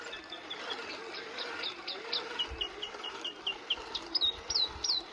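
South Island robin calling: a run of short, high chirps that quicken and grow louder, ending in bright downslurred whistles, over a low background hum.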